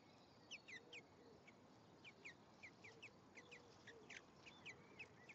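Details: European greenfinch pair, male and female, at their nest on 1 May 2015 around hatching time: short high chirping notes in scattered pairs and clusters, some rising, some falling, repeated irregularly over steady low background hiss.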